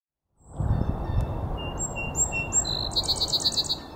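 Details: Song sparrow singing at South Meadows on 18 March 2024: several clear, evenly spaced whistled introductory notes, then a fast, regular buzzy trill near the end. Strong low rumbling noise and thumps run underneath throughout.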